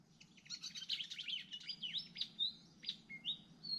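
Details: Hungry Malaysian pied fantail nestlings beg with high, rapid, squeaky chirps and thin whistled notes.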